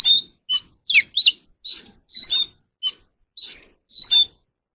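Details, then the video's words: Song of an Oriental magpie-robin used to train captive birds' voices: separate sharp chips and short slurred whistles, then fuller sustained whistles at the end, spaced about half a second apart, with a silent background. "kacer alam | choè than luyện giọng || Choè than kích bổi ra giọng เสียงนกกางเขนบ้าน"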